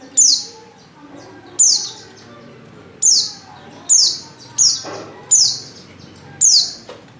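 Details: Female Oriental white-eye call used to lure males into singing: high, thin descending notes repeated roughly every one to one and a half seconds, seven in all, over faint background.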